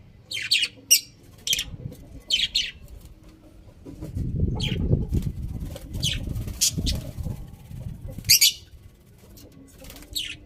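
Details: Several budgies give brief harsh chirps in scattered bursts, with a low rumbling, fluttery background noise swelling in the middle of the recording.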